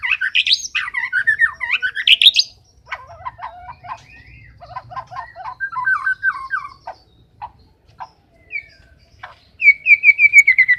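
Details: White-rumped shama in full, persistent song: loud rising whistled flourishes, then a stretch of quick chattering, warbled notes, and finally a run of about eight bright descending whistles repeated rapidly.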